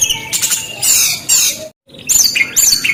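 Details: Brown-chested jungle flycatcher singing vigorously: bursts of high, buzzy and scratchy notes, a brief silent break, then thin whistled slurs and short rising and falling phrases.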